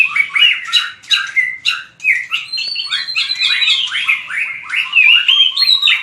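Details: White-rumped shama giving hót đấu fighting song: rapid clicks at the start, then a lively chain of whistled slurs and rising notes, roughly three per second, with a long high thin whistle running through the middle.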